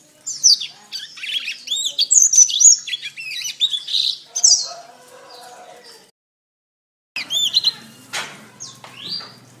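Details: Canary master song for training cage songbirds: energetic high warbles and rapid trills for six seconds, a silent gap, then more sharp whistled notes with some broadband scratchy noise.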